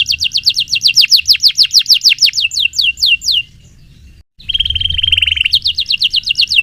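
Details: Canary's rapid series of sharp, dropping notes runs for about three seconds, falls silent briefly, then resumes as a steady rattling roll and more quick chirps.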